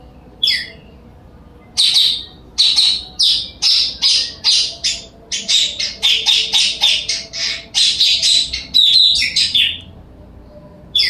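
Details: Blue-crowned hanging parrot giving a lively series of shrill, high, squeaky chirps, each short and sharply bright, delivered in quick bursts with brief pauses between runs.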